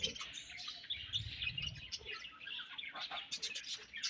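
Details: Budgerigars feeding and exchanging food, giving a dense chatter of high warbling chirps and squeaks, with overlapping voices suggesting several birds, plus low rustling and thumps beneath.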